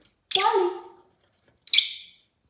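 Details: Rosy-faced lovebird chirping: a loud raspy call with a lower harmonic, squawky tone, then about a second later a second shrill, buzzy chirp.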